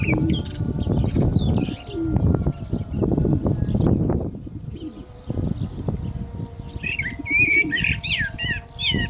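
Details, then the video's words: Common blackbird singing during the call to prayer. Low rumbling noise dominates at first. In the last few seconds a run of quick warbled whistles and sharp high twitters follows. Faint chanted tones hold steady in the background. "Lovely Black Bird Voice صوت المسوود مع الاذان - طائر المسود مع الاذان"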